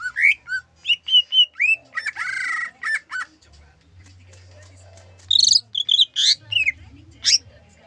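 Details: Greater green leafbird, its song described as carrying zebra dove imitation: fast run of varied whistles, upslurs and chirps, a brief buzzy burst, a pause with low hum, then sharp high chirps and trills.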